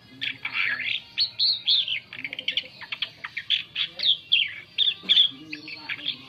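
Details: Asian pied starling song used as a lure for other birds: a dense run of harsh, chattering and whistled phrases with rapid slurred notes and scratchy bursts, steady low hum beneath.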